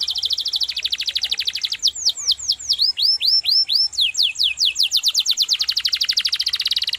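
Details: Energetic canary song meant for tutoring other songbirds: a high rapid trill drops into a slower series of loud downward-curving whistled sweeps, then speeds back into a fast rolling trill.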